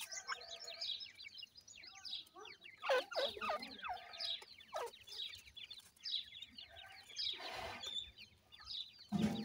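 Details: Grey francolin (dakhni teetar) chicks with an adult pair: crowded high-pitched cheeping, rapid downward-slurred peeps overlapping, interrupted by bursts of rustling and handling noise.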